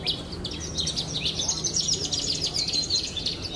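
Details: Caged pied Javan bush lark kept for song contests, a best-of-the-best champion at Brenjes Mania, delivers a brief burst of fast, high, sputtering twitters and short slurred whistles over a low hum of background noise.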